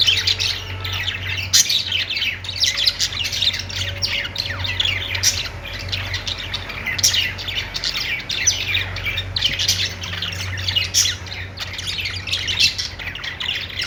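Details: Budgerigar singing on a perch: warbling, a continuous run of high chirps, squeaks and scratchy chatter.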